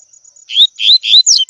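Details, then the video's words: Tui tui song of a double-collared seedeater, used to teach young birds to sing: three upward-slurred whistled notes in quick succession, then two brief sharp descending notes at a higher pitch. "ENCARTE COLEIRO TUI TUI P/TREINAR PARDINHO A CANTAR TUI TUI"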